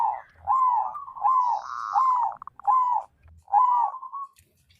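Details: White zebra dove singing to encourage other doves to sing and get them in breeding condition: a series of five long, slurred cooing phrases with short gaps, clear and steady.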